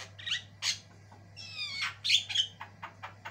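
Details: Javan myna with white eyes, vigorously singing varied long phrases: a few loud harsh squawks, one wavering buzzy note and sharp whistled accents, separated by brief gaps, over a faint steady hum.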